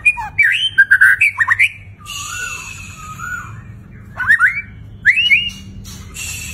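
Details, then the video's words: White-rumped shama delivering gacor song with rich fill-in: a tumbling run of bright slurred whistles, a low mellow warbled phrase, then short swooping chirps and a final quick whistled flourish. "Murai Batu Gacor Isian Mewah"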